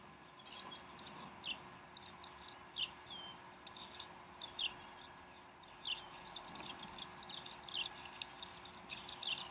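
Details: Bald eagles at the Decorah nest on 12 April 2012, 3:10 pm Central Time, the female feeding the young. Short, high, sharp chirps come in irregular bursts and clusters over a steady low background hum.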